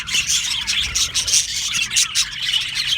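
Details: Budgerigars in an aviary, described as happy, chirping densely: rapid, rhythmic pulses of bright twittering from many birds, with a slight scratchy rubbing texture underneath.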